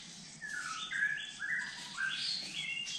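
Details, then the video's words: A Dark-necked tailorbird near a forest drinking pool in Kulen National Park, Cambodia, gives a quick run of clear whistled notes, some flat and some slurred down or up, about two per second, over a faint forest hum. "The call of the Dark-necked Tailorbird"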